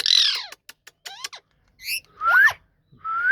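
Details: Talking ringneck parrot giving a loud harsh screech, then quick clicks and falling notes, a short triple chirp and two rising whistles.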